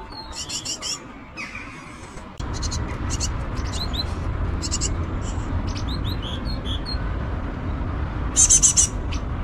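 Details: Great tits, adults and chicks nesting on an eleventh-floor balcony in Mariahoeve, The Hague, April–May 2024: short, high chirps and ringing notes in quick irregular bursts, with a brief shrill burst near the end, over a steady low rumble.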